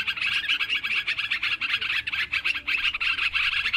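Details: A busy group of sooty-headed bulbuls calling together for bird luring, a thick mass of rapid chirps and twittering phrases with brief dips every second or so, no other clear sounds.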